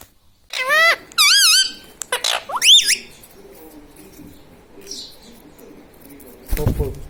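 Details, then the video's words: Pet ring-necked parakeet (mitthu) kept at home, talking: a run of loud, wavy, harmonic speech-like syllables and a rising squeak in the first three seconds, then quieter, ending with a rustling bump. "Mummy vala parrot ||me toto me tota parrot singing||मिट्ठू मिट्टू|| मम्मी||"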